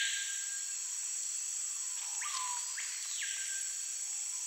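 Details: Screaming piha (Lipaugus vociferans), considered among the noisiest birds, in the Amazon rainforest gives loud, ringing whistles that sweep steeply upward and drop away, two in quick succession, over a constant high insect drone.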